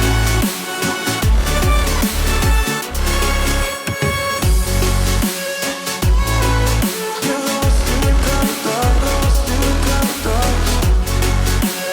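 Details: Loud electronic dance music with heavy pounding bass and a driving beat, with no animal sound.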